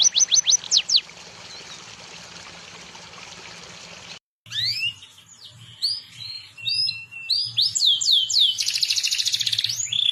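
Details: Tutor recording of songbirds, a mix of cucak jenggot (Grey-cheeked Bulbul), cililin and canary song: a burst of rapid high falling whistles, a sudden cut, then varied chirps, slurred notes and fast trills building to a dense buzzy stretch.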